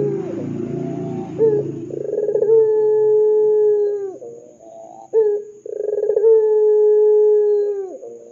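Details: Ringneck dove giving its energetic 'dor'-style coo, used as a lure to set other doves calling: a short note, a rolling pulsed section, then a long, steady, low, hollow tone held for about two seconds. The pattern repeats twice.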